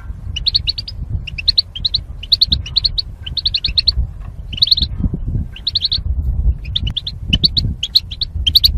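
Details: Goldfinches in cages, paired for mating and separated by wire, singing for training; clustered bursts of sharp high tweets about every second, with low background hum.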